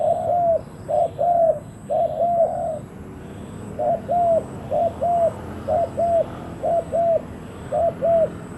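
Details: Spotted dove used as a decoy to lure wild doves, giving paired low hollow coos, each note gently falling at its end, in rhythmic pairs roughly every second, with a quiet gap mid-sequence and a faint steady high hiss.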